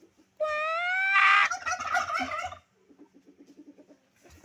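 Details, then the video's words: Turkey calling: a drawn-out, rising tonal note breaks into a loud, rattling gobble, then a quick run of soft, evenly spaced clucks. "Turkey makes sound"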